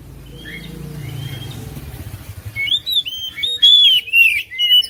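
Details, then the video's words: Oriental magpie-robin song for prompting a silent magpie-robin: faint whistles over low rumbling background noise, then a sudden burst of loud, varied whistled phrases and chirps in the second half. "KICAUAN KACER"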